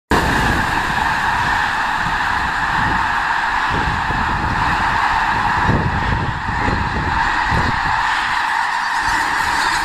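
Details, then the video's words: Migrating snow geese flocks in a blizzard at Clinton Lake, central Illinois, on 6 February 2016, recorded close by: a dense, continuous chorus of overlapping honks under heavy wind roar. "snow geese blizzard Clinton lake, IL"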